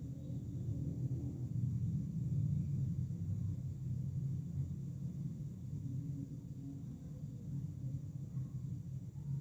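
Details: A steady low rumble, like running water or a distant engine, continues throughout with no animal calls.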